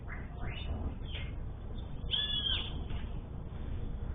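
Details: Sayaca tanager, a common bird of Brazil, singing: a few thin, squeaky rising notes followed by a drawn-out high whistle, over a steady low background hum.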